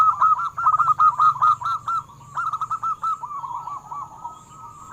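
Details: Zebra doves of the local wild strain, played to prompt captive doves to sing: almost continuous overlapping series of quick, clipped cooing notes, several birds seemingly calling together, above a constant low hum.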